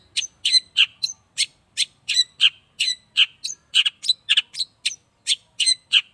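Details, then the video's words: Eight-month-old caged long-tailed shrike during its first sunning: quick chattering song of harsh, high scratchy notes mixed with short whistles, delivered in steady bursts roughly every third of a second with clean background. "cendet paud 8 bulan..jemur perdana"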